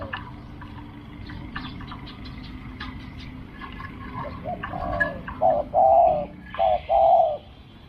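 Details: Background chatter and bird chirps for several seconds, then a spotted dove at a decoy-luring site gives two clear paired coos, a short hoot leading into a longer wavering note.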